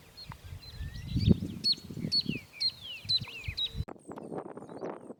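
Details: Grassland Yellow-Finch, a seed-eater of pastures, savannas and rural areas in Argentina's Litoral region, gives high, thin chirps and quick down-slurred notes, about two per second, over low wind rumble; a muffled voice follows near the end.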